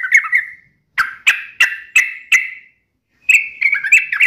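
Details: Sooty-headed bulbul in full song, in the sharp rapid-fire style locally called uplik nembak ropel, used to get other bulbuls answering. Short chattering bursts, then a string of sharp clipped notes, a pause, then a fast warbling run.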